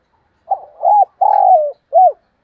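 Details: Spotted dove kept as a decoy bird, calling in the morning: four clear, low hooted coos. The first is short, the next rises and dips, the third is longest and slides down at its end, and a brief arched coo closes the phrase.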